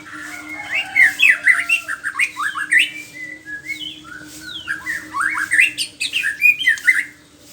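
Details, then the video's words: White-rumped shama in morning song: loud, fast varied phrases of slurred whistles and sharp chatters, repeated in tight bursts with brief pauses, over a constant low hum. "ocehan burung murai batu di pagi hari"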